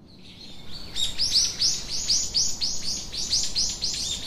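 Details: Australian king parrot, a local bird, calling: after a quiet start comes a quick run of short, high, downward-sliding chirps, about four each second, steady in loudness, over a faint background hiss.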